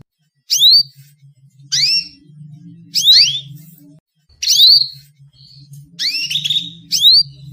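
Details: Female canary calling to stir males into song: short, sharp, upward-sweeping chirps given singly or in pairs, roughly one per second with silent gaps, over a faint low hum.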